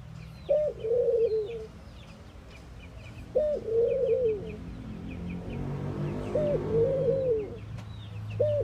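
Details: Low, hollow cooing of mourning doves, each phrase opening with an upward-swooping note and trailing into several soft, sliding hoots, repeated about every three seconds over a murmur of background noise and distant bird chirps.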